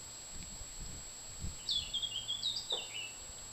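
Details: A willow warbler at Hillfield Hill Nature Reserve, Dorset, in June gives one soft, sweet phrase of quick notes that slide gently down the scale, with a steady high whine and a few low knocks underneath.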